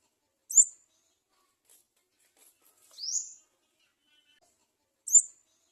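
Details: Olive-backed sunbird chick crying for food at the nest, giving three thin, very high squeaks about two seconds apart; the middle one is a longer rising sweep. Nothing else is heard.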